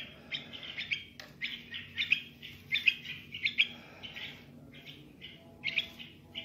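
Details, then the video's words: A young bulbul sings a run of quick warbling and twittering notes in uneven clusters. It breaks off briefly near the middle and again before a final burst, over a soft steady low hum. "تغريد بلبل صغير"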